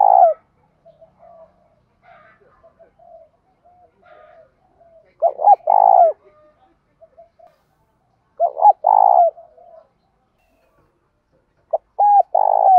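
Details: Repeated cooing of spotted doves, males and females, used to stimulate other doves to call: three low mellow coo phrases about every three seconds, each with clipped notes and a longer vibrating coo, soft murmurs between.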